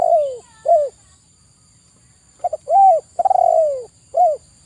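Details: {'text': 'Spotted dove, known locally as tekukur, repeating its cooing song. Falling coos are followed by a phrase of two quick notes, an arched coo, a long vibrating downslurred note and a short ending coo.'}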